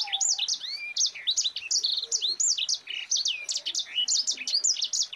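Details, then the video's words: Unbroken rolling song of a Mozambique canary, 'ngerol rapat', meant as a master recording for other birds: dense high whistled slurs, arcs and chips delivered rapidly without pause. "Suara Burung Sanger Gacor NGEROL RAPAT"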